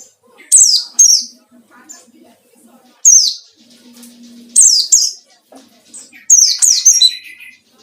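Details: White-eye singing in ngalas style to seek a rival, used as a lure; bursts of high, thin whistled notes sweeping downward come in paired groups with pauses between, plus a faint low hum in the background.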